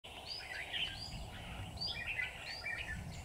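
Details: Red-whiskered bulbul used as a caged decoy in a bird trap, singing to lure wild bulbuls. Short, bright warbled phrases follow each other almost without pause, with a steady low rumble of background noise.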